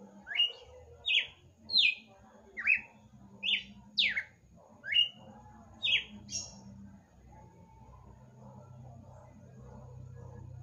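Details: Kept red-cowled cardinal singing at night: eight or nine sharp, descending whistled notes in quick succession over about seven seconds, then quiet with only a low steady hum.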